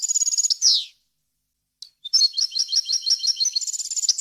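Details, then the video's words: European goldfinch song from a recording meant for tutoring young birds, with varied wild-style phrases: a high trilled run and a falling buzzy note, a brief pause, then rapid repeated twittering notes with a few clear whistles, loud and clean. "غناء طائر الحسون ، صوت صافي وخالي من الاخطاء لتسميع الفراخ"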